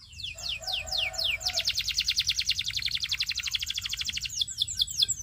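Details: Canary song offered for training: a series of fast descending whistled sweeps gives way to a long, dense, rapidly pulsed buzzy trill, with a low steady hum in the background.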